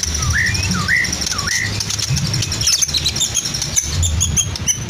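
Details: Caged Medan white-rumped shama whose song is packed with lovebird, canary and cililin copies: three rising whistled phrases at regular intervals, then a jumble of high chips and buzzes, against a low hum.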